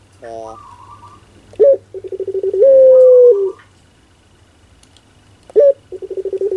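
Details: Cooing Barbary dove of the pelung style, described as funny: stuttered low pulses, a sharp rising note, a long steady hoot, then the rising note and rapid pulses return, with a faint higher whistle and a background hum.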